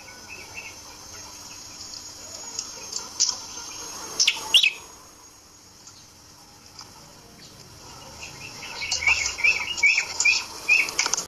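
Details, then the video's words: Red-headed prinia, a caged bird hung up to tame it, gives a series of short chirps around the upper-middle range in the final seconds after scattered sharp notes, with steady background hiss. "Prenjak kepala merah dijantur agar cepat jinak"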